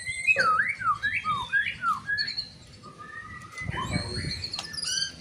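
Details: White-rumped shama in loud song intended to provoke other shamas: quick looping whistled slurs, then a steady lower whistle, broken by a short burst of noise, and ending in high thin notes.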